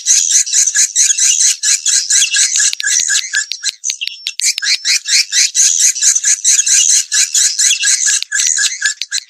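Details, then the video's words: Recorded swiftlet calling sound meant to attract swiftlets to nest in a swiftlet house: fast, continuous high-pitched twittering chirps in a busy, slightly irregular stream, with brief ticking clicks mixed in. "suara panggil burung walet"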